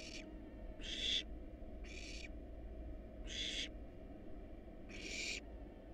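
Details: Hungry wild barn owl nestlings in a research nest box during feeding on rat and rabbit give five breathy, snoring hisses spaced about a second apart over a steady low background hum.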